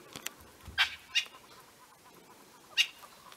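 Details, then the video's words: Francolins in the dense bush of Botswana's Khwai concession giving harsh, scratchy alarm calls in three short, irregularly spaced bursts as a young leopard hunts a squirrel, October 2015; faint background hiss. "The sounds you are hearing are the Francolin's around making alarm calls."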